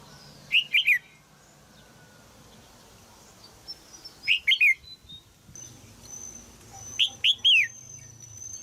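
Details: Female red-whiskered bulbul calling in a cage in Thailand to stimulate a young male to sing: three bright, quick three-note chirping phrases, each slurring downward, spaced several seconds apart over faint background hum and a thin steady high tone.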